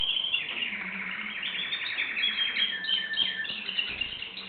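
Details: Canary singing a continuous run of fast rolling trills, bright and high, with phrases shifting in speed and pitch; low faint hum beneath.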